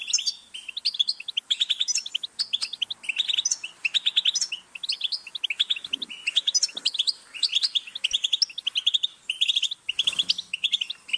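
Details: Singing European goldfinch, a bird kept and trained to sing: a continuous rapid twittering of tinkling, liquid notes and short trills, with a faint low background hum and occasional soft thumps.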